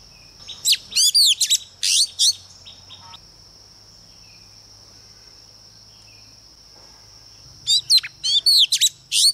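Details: Female Oriental magpie-robin lure bird singing to provoke males. Bursts of quick, high, slurred whistles and chirps open and close the passage, separated by a long quiet stretch filled only by a steady high-pitched drone.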